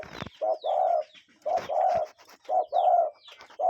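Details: Real cuckoo heard outdoors in nature, giving soft hollow paired notes, a brief first note followed by a drawn-out second, repeating steadily about every second, with faint higher chirps behind.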